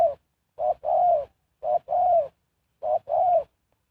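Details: Spotted dove serving as a lure for wild birds, giving three clear cooing phrases about a second apart, each a clipped note followed by a smooth, longer, slightly falling coo.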